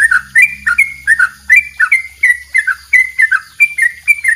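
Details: Yellow-vented bulbul singing a long double 'ropel' song, recorded as a training master for songbirds. Short bubbly notes alternate between two pitches in a fast, uneven chatter of about two or three notes per second. A faint low hum sits underneath.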